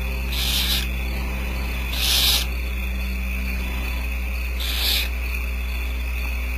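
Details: Barn owl owlets at a Starr Ranch nest, being fed by the female, which seems to be feeding about four young, give three harsh, rasping hisses, each about half a second long and a few seconds apart, over a low steady hum.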